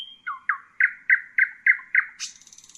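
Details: Common nightingale (Luscinia megarhynchos): a thin held whistle, then seven loud, evenly spaced chirping notes about three per second, closing with a rough buzzing rattle.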